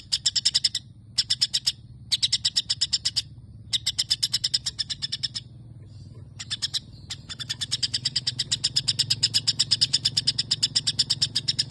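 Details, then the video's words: White-rumped shama with long sparrow imitation: short bursts of rapid dry chirping separated by silent gaps, then a sustained unbroken chatter through the second half. "Cungko isian gereja panjang"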